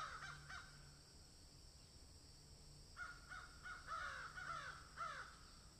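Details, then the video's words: Harsh repeated caws from a crow while it eats food: two quick notes at the start, then a rapid series of about six grating caws over the last three seconds. "Crow sound"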